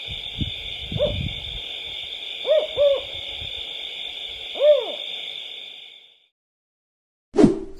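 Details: A Tawny owl (Strix aluco aluco) gives four short, low, hollow hoots at uneven intervals, two close together, over a steady high hiss that stops near the end.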